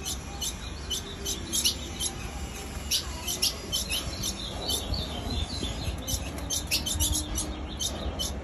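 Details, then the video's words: Ultramarine grosbeak female giving a nonstop series of sharp high chip notes, fairly evenly spaced several per second, with a constant low hum underneath. "Piado de fêmia de azulão sem parar"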